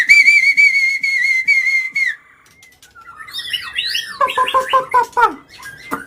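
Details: Agitated white-rumped shama song meant to provoke other birds: a long, steady pure whistle lasting about two seconds, a brief pause, then a jumble of fast, descending, slurred notes.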